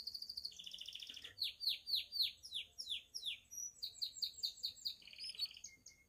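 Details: Belgian canary, a pied bird, singing the bell-like 'campainha' style used to stimulate other canaries and females: fast trills and rapid repeated descending notes, about four per second, shifting between high pitches in a varied sequence.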